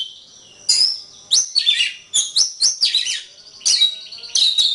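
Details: Kacer (Oriental magpie-robin) masteran song: sustained high whistle, then jumping, stepped notes and buzzy flourishes in quick succession, ending with ringing whistled phrases.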